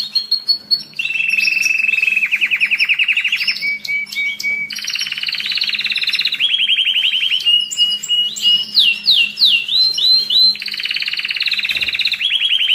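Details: Nearly unbroken domestic canary song for training during molt and rest, played to stimulate males and ready females for breeding. One loud rolled tour follows another at shifting pitches, with swooping rising notes in between.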